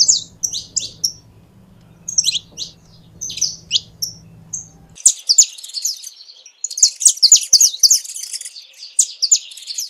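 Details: Saffron finch delivering spaced high chirps and short whistles over a low hum, then a dense, rapid jumble of high twittering notes after a brief pause.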